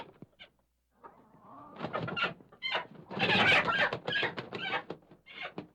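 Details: Chicken inside its coop as someone tries to catch it; rough, raspy squawks building into a loud frantic burst of cackling midway, mixed with scuffling and flapping noises.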